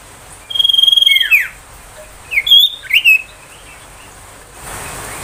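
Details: Ashy tailorbird song used to lure and excite young wild tailorbirds: a fast buzzy trill on one high pitch dropping into a slurred note, then three separate loud downward-swooping whistles.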